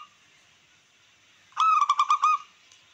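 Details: Zebra dove of local wild type singing to provoke rivals and boost breeding urge: a single phrase of six quick, pulsing coo notes, clear and resonant, following a quiet lead-in.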